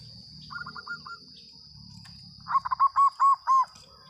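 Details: Loud-voiced local zebra dove: a soft, quick run of cooing notes, then a strong phrase of rounded coos that start quick and stretch into longer, evenly spaced notes, over low rumble and a thin steady whine.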